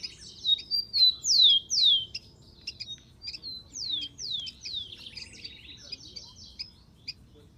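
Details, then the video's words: Rufous-collared sparrow singing in the wild: a run of bright downslurred whistles, each falling sharply, is given in two bursts and ends in a short buzzy trill, with sharp chips around it. "MASTERAN.BURUNG KICAU"SPARROW RUFOUS"(KICAU MANIA)Full Gacor di alam liar."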